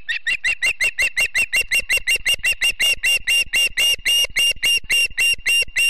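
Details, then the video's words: Morning at a Montana Osprey family's nest near Charlo in September, filmed by live cam: a long, insistent chain of some thirty shrill, whistled chirps delivered rapidly and evenly, barely pausing throughout. "Charlo Mt. Ospreys ~ Typical September Morning"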